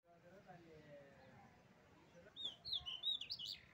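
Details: Small bird chirping: a quick cluster of thin, high twittering chirps in the second half, after a low murmur of voice-like sound at the start.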